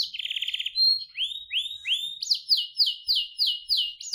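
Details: Canary song opening with a fast buzzy roll, followed by slurred rising whistles and then an evenly paced series of repeated sweeping notes.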